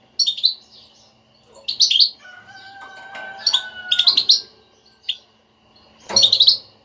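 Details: Stimulating batbata twitter of a European goldfinch, used to make a silent goldfinch sing. Bursts of high jingling, buzzy notes recur roughly every second or two, with a pair of faint steady whistled tones in the middle.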